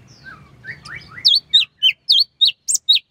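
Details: Sooty-headed bulbul singing relaxed in the morning, used to provoke other bulbuls: softer slurred whistles, then a fast run of bright, clipped, high notes, about four per second, over faint background rumble.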